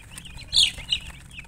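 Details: Baby chick peeps, a loud sharp high chirp with a shorter one after it, plus softer peeps from other chicks nearby.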